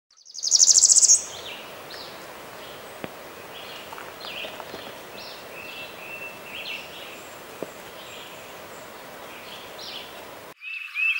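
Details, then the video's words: Northern parula recorded in spring 2014 in Arkansas or Kentucky; one brief, loud, very high buzzy phrase near the start, followed by faint high chips and other distant birds over steady background hiss. "Northern Parula"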